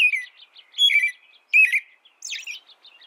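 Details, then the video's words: Sweet warbling from an American robin: three or four liquid whistled phrases, the last one higher and thinner, with soft chatter in the gaps. "American Robin Bird Sound, Bird Song, Bird Call, Bird Calling, Chirps"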